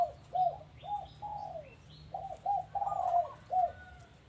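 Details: Dove calling at a home: a series of low, mellow cooing notes, short and rounded, some rising then falling, about seven in four seconds, with faint higher chirps from other birds above.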